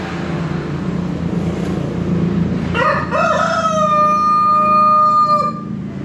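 A Brahma rooster gives one long, drawn-out crow that starts with a few rough rising notes and settles into a steady held tone. Low rumbling noise runs underneath.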